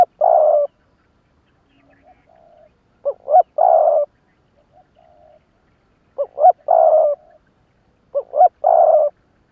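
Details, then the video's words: A decoy spotted dove repeats its rival-challenging lụp đờn cò phrase four times: clipped double coos leading into a long, buzzy coo, with soft low notes between phrases and quiet surroundings. "Tiếng chim mồi lụp đờn cò đấu bổi"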